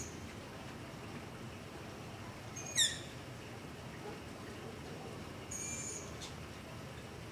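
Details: A young long-eared owl near a house at night gives a begging call: two high, thin squeaks like a creaking gate, about three seconds apart, over a steady low hiss; identified with a phone app.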